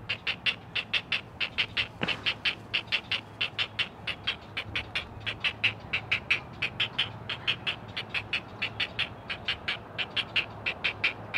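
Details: Four great blue heron chicks call to their mother at a nest under a Chesapeake live camera; a sustained, regular stream of gravelly ticking notes, several overlapping, with one sharp knock near the start.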